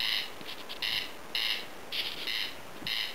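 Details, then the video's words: Hidden in tall grass near a house in Lääne-Virumaa, Estonia, a corn crake gives its harsh grating two-part call, the paired rasps coming about every half second in a steady rhythm. "RUKKIRÄÄK Corncrake Crex crex ( Voice )"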